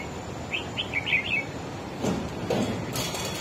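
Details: Wild-caught red-whiskered bulbul singing to outdo another bird: a fast run of five or six bright whistled notes, followed by a couple of knocking thuds against low background noise.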